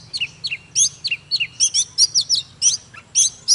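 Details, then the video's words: Singing Oriental magpie-robin delivers short bright whistled notes, mostly falling slurs and sharp chips, repeated in a brisk uneven rhythm, with faint low humming behind. "Chòe than HÓT MÚA"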